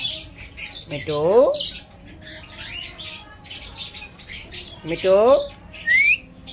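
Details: Two rough, buzzy, falling squawks several seconds apart from a pet Alexandrine parakeet that talks like a human, with soft hissy murmuring between and a thin rising whistle at the end.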